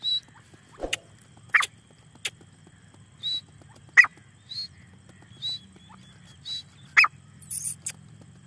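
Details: Black francolin (desi teetar) calling: loud, sharp, rasping notes at irregular intervals of about three seconds, interspersed with thin high whistles and clicks over a steady low hum.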